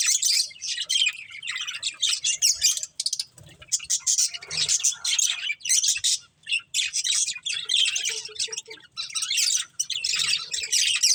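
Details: Budgerigar breeding pair giving repeated bursts of high, rapid chattering chirps and squawky notes, separated by short quiet gaps.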